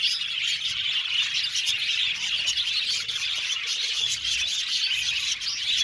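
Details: Budgerigar colony in an aviary, continuous lively chirping and warbling from numerous birds, high and busy, with occasional louder squawks cutting through.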